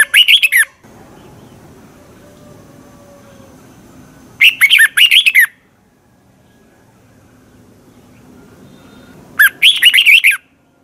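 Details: Red-whiskered bulbul from Thailand, recorded for training birds' voices: three brisk phrases of four or five slurred, bubbling notes, spaced about five seconds apart, with soft background murmur between them.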